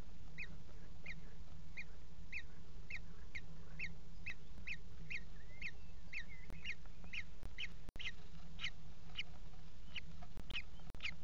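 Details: Common Kestrel nestlings, four chicks fed by the mother in a nest box on 28 June 2016 at 17:00. Rapid, steady series of high thin begging cheeps, roughly two per second, with occasional clicks over a steady low hum.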